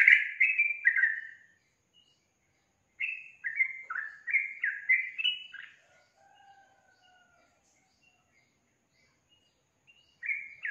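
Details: Yellow-vented bulbul singing bursts of rapid, bubbly chirps, separated by quiet gaps, with a faint lower drawn-out note in between.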